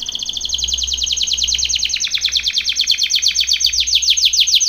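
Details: Training song from a Belgian canary: a continuous run of rapid downward-swept notes, roughly six per second, steady and loud throughout, slowing slightly toward the end; faint low hum in the background.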